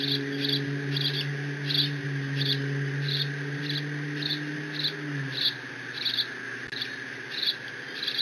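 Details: Young bald eagle alone in its Decorah nest on 30 June 2017, squeeing while mantling a fish its father just delivered. Thin high squeaks repeat rapidly, about one and a half per second, over a steady low hum and constant hiss.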